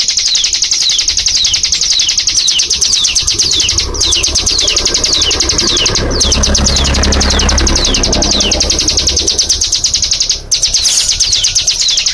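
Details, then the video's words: Burung cigun (hill prinia) pouring out a long 'nembak' shooting song of rapid, high, descending notes with brief breaks, over a persistent low rumble resembling traffic. "Burung cigun suara nembak"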